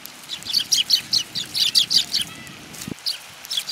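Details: Sparrows give a series of short, bright chirps, roughly three to four a second, followed by a brief pause and a few more scattered chirps, with a soft background hiss.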